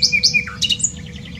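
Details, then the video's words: Short nightingale phrase from Dohr in Germany's Eifel: a few loud, sharp whistled notes, a downward slur, then faint rapid pulses fading out, with a low hum in the background. "Nightingale singing. Nachtigall singt."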